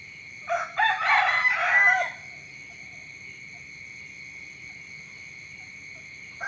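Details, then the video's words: Morning crow of a rooster: two short opening notes, then a harsh drawn-out phrase lasting about a second and a half. Quiet follows with only a faint steady high hum, and a new crow starts at the very end. "เสียงไก่ขันตอนเช้า เสียงไก่ขันฟังต่อเนื่อง"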